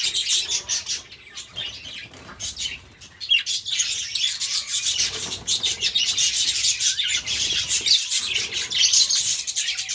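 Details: Pet budgies singing a busy, rasping chatter of rapid high clicks and squeaky chirps, quieter briefly near the start, then building steadily.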